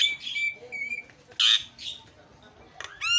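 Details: Javan myna lure recording meant to set other mynas calling: scattered harsh squawks and short whistled notes, with a loud rasping burst midway and a sharp ringing squawk at the end.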